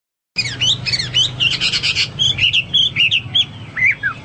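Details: After a moment of silence, a Hwamei bursts into song with rapid hooked notes, harsh rasping bursts, then a series of clear whistled slurs ending in falling notes.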